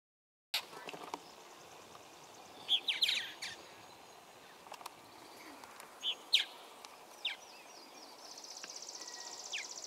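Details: Purple martins at a colony in Bernheim Forest give scattered short, gurgling chirps in brief bursts a few seconds apart, over steady outdoor hiss and a faint high buzzing near the end.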